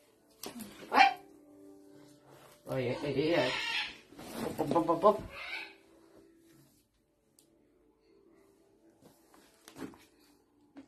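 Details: A hyacinth macaw playing with a child gives two harsh, dog-like barking bursts, each about a second long, while a person and the child talk nearby.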